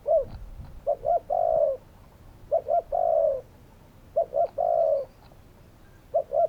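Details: Spotted dove repeating its coo phrase three times, two quick short notes leading into a longer falling coo, each phrase about every one and a half seconds, with quiet pauses between.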